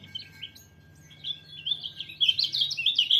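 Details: Pleci, a white-eye, gives a few scattered high chirps that build into a rapid, loud, warbling twitter over the last second, against quiet low background noise.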